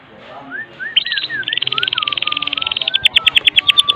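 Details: White-rumped shama of the Medan type giving kretekan song with isian fill, meant to lure other shamas into song: soft looping whistles lead into a long, fast, buzzy rattle that grows louder and slower toward the end.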